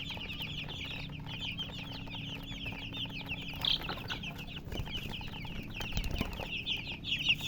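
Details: Baby chicks kept with a hen peep continuously in a busy chorus of sharp, high, slurred chirps. A few louder peeps stand out near the end over a steady low hum.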